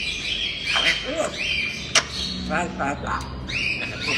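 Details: Talking grey parrot uttering speech-like babble with nasal, buzzy syllables and a sharp snap in the middle, continuous chatter throughout.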